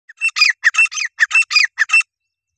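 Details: Partridge giving a loud, harsh squawking call: a rapid series of about nine grating, buzzy bursts over two seconds, then silence; no other sounds.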